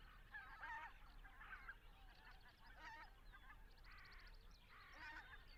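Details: A flock of greater white-fronted geese passing overhead in Estonia while migrating to Arctic breeding areas, recorded with Zoom F6 and Sennheiser MKH 8040; repeated squeaky, yelping double and triple notes from several birds, with quieter chatter between.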